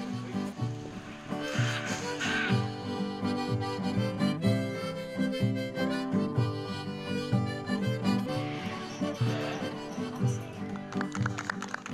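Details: Harmonica-led music with guitar fills the whole stretch; no animal calls can be picked out.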